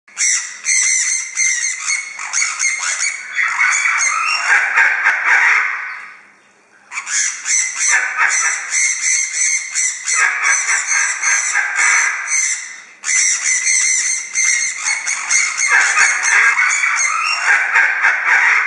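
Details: Active, noisy sun conures kept as pet parrots screech while preening: loud, harsh, shrill squawks pour out almost nonstop in long bursts, broken only by two brief lulls.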